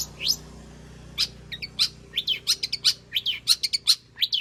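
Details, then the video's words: Long-tailed shrike's mimicry-rich song, played to coax other shrikes into singing: scattered high whistles at first, then a quickening string of sharp chips, slurred whistles and short trills, with a steady low background hum. "burung cendet gacor FULL ISIAN pancingan Cendet AGAR BUNYI Cendet Bongkar Materi"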